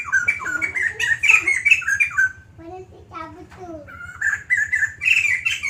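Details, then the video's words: White-crested laughingthrush in lively continuous song: quick, loud whistled phrases, a softer interlude of lower tonal notes, then the fast whistling resumes. "Burung Poksay Jambul Putih Gacor Panjang"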